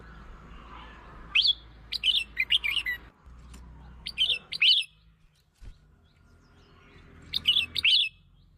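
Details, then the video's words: Red-whiskered bulbul song used to lure and provoke other birds: three bursts of short, bright, warbled phrases, each note rising and falling, separated by pauses of about two seconds, over a low background hum. "เสียง (ยั่ว) นกกรงหัวจุก เสียงนกกรงหัวจุกล่อนก กระตุ้นนกกรงหัวจุก"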